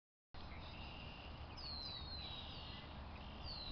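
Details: Soaring hawk, called a chicken hawk, at Brick Pond in Elmira, New York, giving thin, high descending screams in the middle of the recording over a steady rumble of wind.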